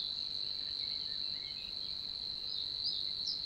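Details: Savi's warbler singing in Puszcza Niepołomicka, Poland, in June 2020: an unbroken, insect-like reeling buzz held at one steady high pitch throughout, with a few faint, brief notes from other birds near the end.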